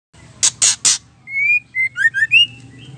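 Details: Female White-rumped shama giving its ketrekan call to stir males into singing: three harsh, loud, rasping bursts in quick succession, then a run of clear rising whistles and slurred chirps.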